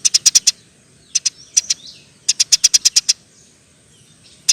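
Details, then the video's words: Eurasian tree sparrow giving long "nyerecet" chatter. Clear high chirps come in tight runs of four to eight, with quiet gaps between the runs. "NYERECETTT PANJANG, KICAU BURUNG GEREJA GACOR"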